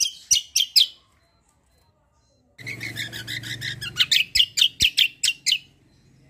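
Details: Kecial white-eye, a fighter bird singing 'kombo cucak kombo' style for tutoring: three sharp high chirps, a pause, then a dense run of shrill piercing notes over a low hum.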